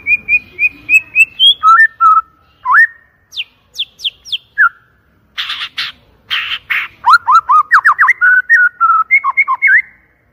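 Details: Loud, clear lure song of a white-rumped shama: repeated high whistled notes, then lower fluting phrases, sharp downslurred notes, harsh rasping bursts and a rapid run of slurred whistles.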